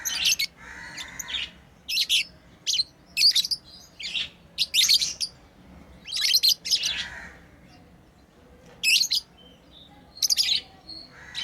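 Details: Pet lovebirds at play with steady, shrill, high chirping in repeated short bursts and paired notes, sometimes rasping, over a faint low hum.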